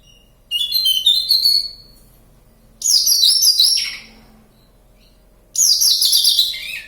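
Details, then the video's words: Wild Javan bush lark near Kediri, Java, singing actively. Three phrases of thin, hurried, chattering notes arrive about every two and a half seconds, each sliding down in pitch before silence. "Branjagan Jawa gacor ngalas kediri"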